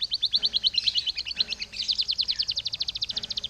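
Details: Lure song of a canary, meant to trigger other canaries to sing: a continuous rapid high trill of bright chirps, pulsing steadily for the whole stretch with slight changes in tone.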